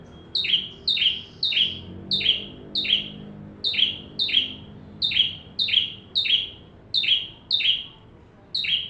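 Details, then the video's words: Bar-winged prinia in full song, offered as tutor material for training white-rumped shamas: loud, high, sharp chirps, each a quick downward-sweeping note, repeated in bursts of one to three nearly twice a second, with faint low background hum. "Burung ciblek tamu fulll gacor cocok untuk masteran murai batu"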